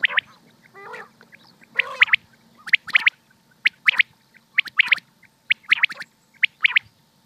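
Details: Pakistani common quail, or batair, in hunting use: a couple of harsh buzzy notes, then evenly spaced crisp triplet calls roughly every second, over a low steady hum.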